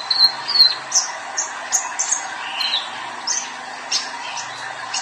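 A young male sunbird sings a fast, high, tinkling run of thin chirps and sharp squeaky notes, about three per second, with a faint background hum.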